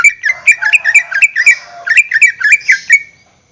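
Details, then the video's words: Greater green leafbird in full song, used as a lure to get other caged birds singing: a rapid, loud chatter of sharp whistled and squeaky notes, about four a second, with buzzy overtones and no other sounds. "PANCINGAN gacor cucak hijau suara Full panjang untuk pancingan burung bahan agar SELALU GACOR"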